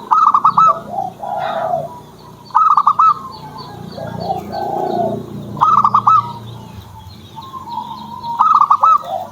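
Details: Pet zebra dove repeats its fast stuttering song four times, roughly every three seconds, with mellow lower cooing between bursts and faint high bird chirps in the background.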